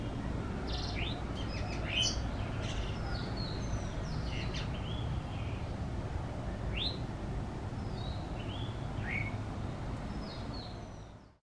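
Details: Restless Common tailorbird in a backyard in tropical Asia, preening its feathers while giving sharp, high, upslurred chirps at an uneven pace, set against a steady low rumble of background noise.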